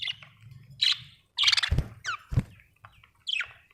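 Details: Budgerigar making loud raspy chirps and a descending squeak over a constant low hum, broken by two heavy thuds.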